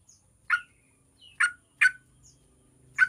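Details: Yellow-vented bulbul played as a lure to get other bulbuls singing quickly: four short, loud, bubbly chirped notes at uneven intervals over about three seconds, with faint thin whistles between them in an otherwise quiet background.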